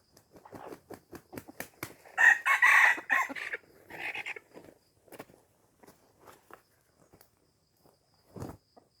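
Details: Red junglefowl from Aceh, a call used to lure wild junglefowl: a run of short clucks leads into a loud, harsh crow lasting about one and a half seconds, then scattered softer clucks and one last brief note.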